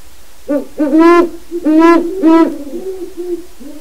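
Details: Loud, close hooting from a wild Great Horned Owl visiting the pen of a captive non-releasable breeding pair in its territory. Deep hoots, several rich and resonant, come in a quick uneven series, then softer trailing hoots.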